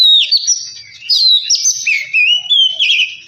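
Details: Oriental magpie-robin song meant to provoke another bird into singing: continuous loud whistled phrases that swoop up and down, slurred notes linked in a fast, varied stream.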